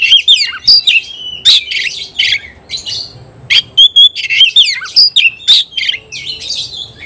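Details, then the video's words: Oriental magpie-robin singing hard against a rival, a dense rapid medley of sharp chips, clear whistles and buzzy bursts repeated about every half second with hardly a pause. "kacer gacor ngobra KONSLET nembak lawan tarung"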